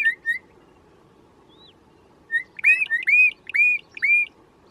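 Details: Wild bokmakierie in forest: two short whistles, a pause, then a rapid run of loud ringing whistles that hook upward and drop, closely spaced.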